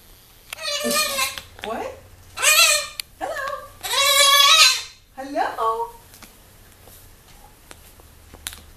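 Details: Severe macaw kept as a pet, eyeing a visitor at the window indoors: a run of five or six loud, grating squawks and croaks in quick succession, some rising and some falling, then quiet.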